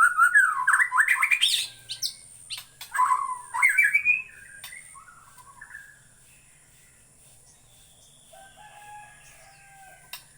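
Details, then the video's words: Borneo white-rumped shama giving a burst of rich, fast whistled and warbled phrases for the first five seconds, then fading to soft distant whistles and near silence. "Burung murai Borneo"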